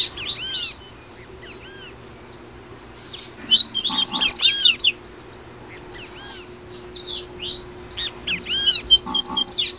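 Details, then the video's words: Tui tui song of a double-collared seedeater from Brazil, played to get caged birds singing: two bursts of quick whistled slurs and bright rattling trills with quieter pauses between, plus a constant low background hum. "PAPA CAPIM TUI TUI"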